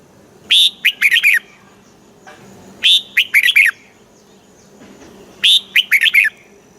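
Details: Red-whiskered bulbul song from Thailand in the southern master style, used to stir up caged birds and teach young ones: the same quick phrase of five or six sharp, warbling whistles repeated three times, roughly every two and a half seconds.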